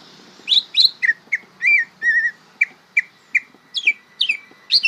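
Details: Young greater green leafbird learning to sing, a varied string of whistles, downslurred chips and a wavering warbled note, delivered in an uneven rhythm.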